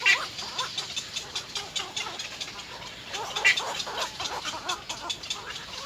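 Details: At nest 3, three little egret chicks beg their mother for food, giving short harsh rasping notes repeated roughly every quarter second, with louder peaks near the start and middle, against steady hissy background noise.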